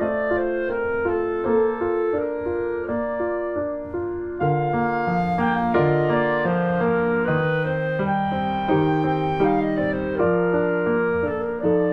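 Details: Only instrumental music is heard, with sustained woodwind and keyboard-like tones and no animal voice.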